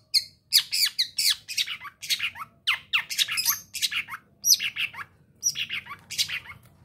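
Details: Young East Java long-tailed shrike singing energetically in breeding condition, wanting to mate: rapid bursts of harsh, scratchy, down-slurred notes mixed with squeaky whistles, delivered in tight clusters with brief pauses.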